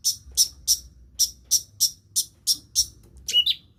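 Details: Cendet, the long-tailed shrike, copying other birds' calls, repeats a sharp, very high chip about every third of a second, then finishes with a lower whistled, warbled flourish.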